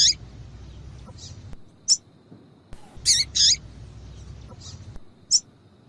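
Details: Female double-collared seedeater calls, played to warm up a caged male so he starts singing: short, high, scratchy chirps scattered at irregular intervals, a close pair near three seconds, with faint low background hum.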